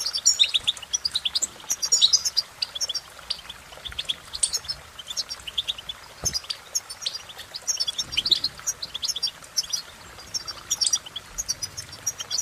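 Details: Steady, rapid twittering song of a European goldfinch, thin high notes and chips repeated densely, with a soft background hiss.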